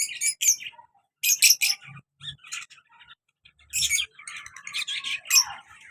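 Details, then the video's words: Caged pair of lovebirds, a colour male with a black mask female, making bursts of high shrill chirps separated by pauses, ending in a longer scratchy twittering phrase. "colour love bird male and black mask female beautiful sounds"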